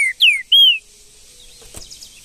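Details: Wild green-winged saltator singing in the bush in Brazil: two loud, clear whistled notes, the first sliding down and the second a long level whistle that drops at the end, followed by quiet background hiss.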